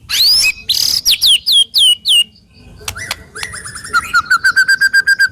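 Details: Murai batu, the white-rumped shama, kept as a songbird, giving a harsh sharp song to encourage other shamas to sing: high sweeping whistles, a pause, then a long steady train of rapid repeated notes.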